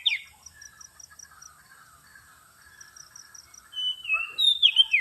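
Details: Oriental magpie-robin lure sound: soft buzzy chatter and a faint run of high ticks, then a loud whistled phrase of slurred, falling notes near the end.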